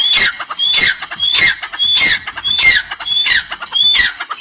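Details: Francolin calls used within the flock for communication and hierarchy: a rhythmic run of bright upslurred whistles, each joined by a scratchy, squawking burst, recurring about every half second.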